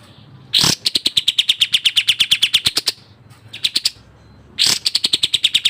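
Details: Sooty-headed bulbul delivering speedy, close-set varied song: loud bursts open into fast trills of sharp high notes that dip slightly in pitch, with short pauses between runs.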